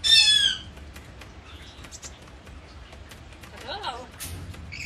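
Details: African grey parrot giving a loud, high, harmonic whistled squawk at the start, then a quiet stretch, followed by a softer wavering, warbled call and a brief sharp high chirp near the end.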